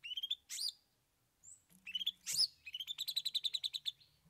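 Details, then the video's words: Cendet (long-tailed shrike) singing varied 'isian' filler song: thin whistles and sharp upslurred chirps, then a fast, rattling series of clipped high notes running to the end. "Cendet Bongkar 3 Isian"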